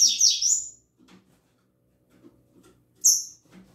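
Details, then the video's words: Morning song of caged double-collared seedeaters: opens with a loud, fast jumble of high chirps and trills, then quiet low clattering, then a single sharp high whistled note. "Quando Meus Coleiros Começam a Cantar Pela Manhã!!!"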